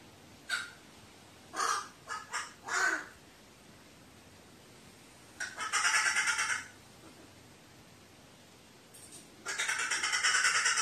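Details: A crow, filmed 15 May 2018 and said to be frightened, utters a run of short rasping notes, then two long, drawn-out grating caws lasting about a second each, separated by several seconds of near silence.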